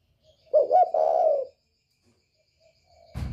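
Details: Spotted dove of the northern type with a 'còi bổi' voice, used to provoke other birds: one low hoarse coo phrase, a short double note rising into a long, steady, throaty coo, ending in a sudden thump.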